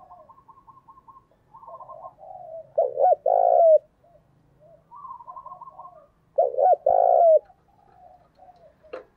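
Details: Wild-caught caged spotted doves are lured to coo with this call. Two strong phrases of short coos ending in a long, slightly falling coo, set against a steady chorus of fainter cooing doves.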